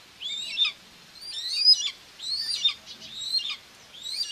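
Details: Common buzzard mom feeding two babies at a nest in Tiszalök, Hungary, on June 2, 2024; thin, high-pitched squealing whistles, slurred downward at the end, sound in four quick groups against a quiet background.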